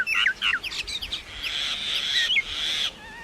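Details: Common myna song with several quick whistled and gurgling notes, then a long buzzy, wheezing tone held for over a second before ending in a falling whistle.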